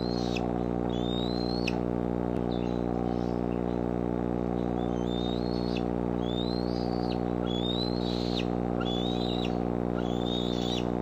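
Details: Bald eagles at the Decorah nest, nest-camera recording from July 6, 2011, afternoon or evening: a run of thin high whistles, each climbing gradually then snapping downward, roughly every one to two seconds, over a loud steady electrical hum.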